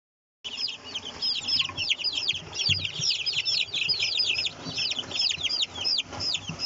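A crowd of Kadaknath chicks peeping, with high, thin, downward-sliding notes overlapping constantly.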